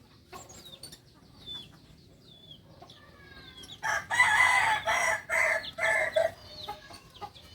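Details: From Solok, West Sumatra, a Kukuak balenggek singing chicken: thin bird chirps at first, then a strong crow in several choppy repeated segments lasting over two seconds, ending with faint high twitters.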